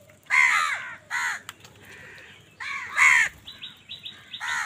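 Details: House crows fighting wild birds for food: two harsh caws, a quiet spell, then a loud caw followed by short high chirping notes from other birds and a final caw.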